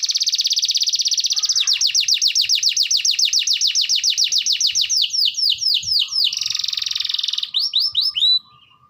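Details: Canary in vigorous song while moving about: a fast, high-pitched trill of sweeping notes repeated for several seconds, then a dense buzzy roll, ending in a few quick, bright chirps before falling silent.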